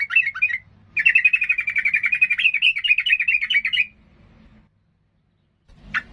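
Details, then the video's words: Yellow-vented bulbul (trucukan) in strong song, meant to provoke rival birds: a brief bubbly phrase, then a rapid, nearly three-second run of chattering, warbled notes, ending with one sharp note after a pause. "Suara trucukan gacor"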